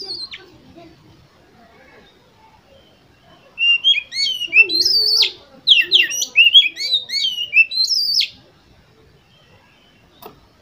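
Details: Oriental magpie-robin song, played to stir competition birds into singing: after a quiet start, a lively stream of clear whistles, rising and falling slurs and sharp chirps runs for about five seconds before fading.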